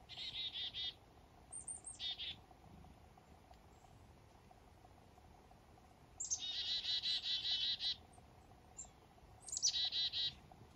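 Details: Foggy morning up north, wild black-capped chickadees waking: short bursts of rough dee notes, a lone high slurred note, then a long even series of about ten buzzy dees and a final high-plus-dee phrase.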